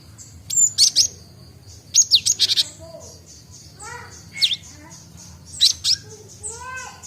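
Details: Juvenile Java sparrow practising its song, newly able to chatter: clusters of sharp high chirps and downslurred whistles every second or two, with softer lower rising notes in between.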